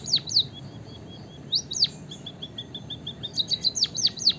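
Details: White-headed munia in lively song: pairs of loud, high, falling slurred notes separated by long strings of faint, even piping notes, closing with a quick flurry of high notes.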